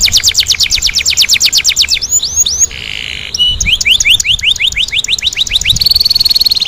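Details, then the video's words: Canary singing in the Indonesian kenari gacor ngerol nembak style: loud, high, rapid rolling trills of rising sweeps, roughly three notes a second. Several fast buzzy phrases are strung together, ending in a high quick rattle. "KENARI GACOR NGEROL NEMBAK | CANARY SINGING"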